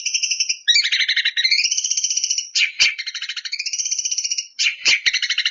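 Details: Long-tailed shrike provoking song: rising and falling trilled buzzes strung together, broken twice by sharp clicks, then resuming the fast harsh rattle.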